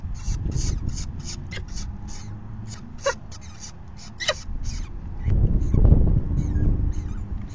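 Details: Falcon begging during a nest feeding on May 9, 2020, at 4:40 PM, the day's fifth feeding. Rapid trains of scratchy, high, clipped notes run several per second, with a few sharper cries mixed in over a steady low rumble.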